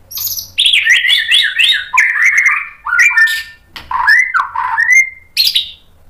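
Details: Agitated white-rumped shama answering a fighter rival and spilling out its store of learned song. Rapid rolling warbles bounce between mid and high pitch, then give way to dropping slurred whistles and a few sharp high accents.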